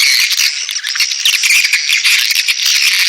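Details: Dense swiftlet chatter: many overlapping buzzy twitters and rattles run unbroken and evenly loud from start to finish, all high-pitched.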